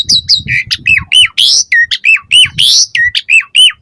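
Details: Song of an Asian pied starling, meant to make other starlings reply and sing: clipped squawks and hooked whistles in quick succession, two broad rising screechy notes, steady rhythm, with a low muffled rumble underneath.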